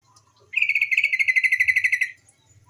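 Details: Female yellow-vented bulbul calling, played as a lure so untamed bulbuls start singing: one quick run of about fifteen bright, pulsed chattering notes lasting a second and a half, with faint low rumble around it.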